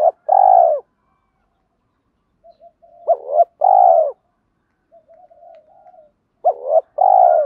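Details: Spotted dove cooing, a recording of male and female birds used to stir captive doves into cooing during training: three phrases, each a short rising note and then a long, steady, slightly falling coo, with soft murmurs between. Otherwise quiet.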